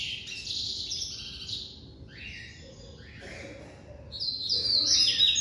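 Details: Captive-bred White-collared seedeater giving the classic song: a bright high trill, then softer descending buzzy notes, ending in a loud burst of rapid, sharp, high twitters.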